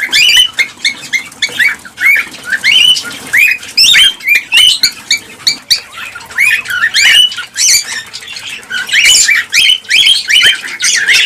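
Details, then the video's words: Cockatiels, a sound played to stimulate mating and breeding: a dense flock chorus of short shrill chirps and rising whistled notes, overlapping continuously with no gaps. "حفز طيور الكالوبسيت(الكوكتيل) على التزاوج والإنتاج بهذا الصوت القوي"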